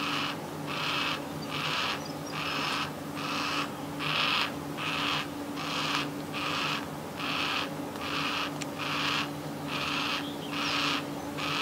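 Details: Begging for food by a young yellow-tailed black cockatoo outside a window: grating, drawn-out calls about every 0.8 seconds, evenly spaced and insistent, with a steady background hum.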